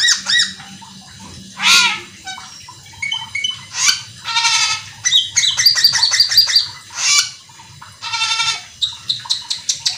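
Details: Cucak keling singing hard with fast fills to stir up other cucak keling: repeated harsh, nasal squawks, buzzy rasps and a rapid, even chattering trill, ending in a quick series of short clicks.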